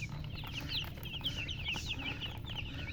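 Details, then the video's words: Chicken chicks peeping busily, sharp high chirps in rapid overlapping series, some notes louder and shriller, all over a steady low-pitched background hum. "Witty MURGI Baby "Chicks Chirping" Sound"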